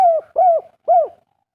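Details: Spotted dove, local wild-origin 'kuk 3' coo: three arched, falling coo notes spaced about a third of a second apart.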